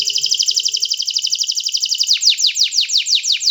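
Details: Canary song with a long, fast, bright trill of rapid repeated notes, changing into slower, strongly descending swept notes repeated several times a second.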